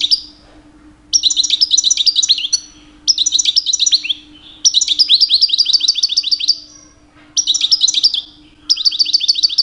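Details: A two-year-old European goldfinch delivers repeated phrases of rapid, high tinkling twitters, each a second or two long, with short gaps between; sung constantly in mating season to attract females.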